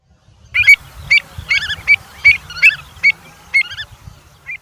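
Avocets give clear, fluty 'kluit' notes, about two a second in an uneven series, with a low rumble beneath.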